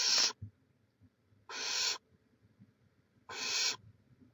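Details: Barn owl on a live nest camera in Chula Vista, California, 18 May 2017: three harsh, airy screeches of under half a second, about one and a half seconds apart, with light scratching between.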